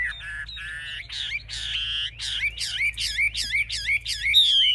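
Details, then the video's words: Chinese hwamei in a cage, fanning its tail and lifting its wings, said to fight fiercely. Buzzy, nasal notes give way to a fast series of looping whistled slurs, ending in a long, clear, falling whistle. "Họa mi chơi cánh cao đuôi xòe - Em này đấu ác"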